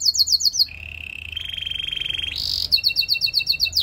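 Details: Canary singing a rapid high chattering trill, then a long low buzzy roll, a short bright burst, and a return to quick repeated twittering notes.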